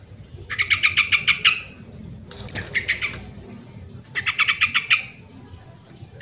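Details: Sooty-headed bulbul, an original recording used as a lure for lazy birds: rapid rattling strings of about eight even notes, a brief noisy flutter in between, then another rattle.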